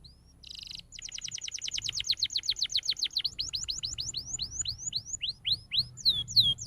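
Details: Canary song used as a master recording to train young canaries to sing: a brief dense buzzy burst, then long fast trills of rapid downward sweeps that slow into spaced, looping whistled notes.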